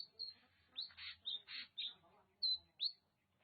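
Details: Oriental magpie-robin (kacer) from Aceh's Nagan Raya: a chain of short, bright whistles, several dropping in pitch, followed by two loud, pure upslurred notes near the end.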